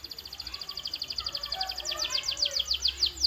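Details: Canary song for training, a rapid high trill of repeated notes that gradually slows and grows louder into spaced downward chirps.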